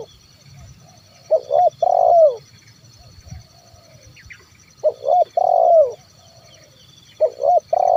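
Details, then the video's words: Zebra dove call used as a lure for wild birds: phrases of short rising coos then a longer drawn, falling purr, repeated about every three seconds, with a faint steady hum behind. "SUARA TERKUKUR KUK 1 MEMANGGIL BURUNG LIAR"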